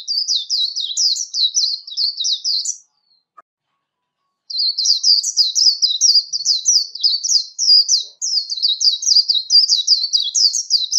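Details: Warbling white-eye, a training recording for competitive singing with no background noise: long, rapid runs of high, twittering warbled notes, a brief pause near three seconds, then an almost continuous stream of chattering phrases.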